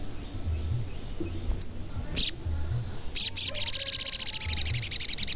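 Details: Active singing sogon used as a lure for other sogon birds: a sharp chip and a brief buzz, then a long rapid, steady high-pitched trill of many evenly spaced pulses running to the end.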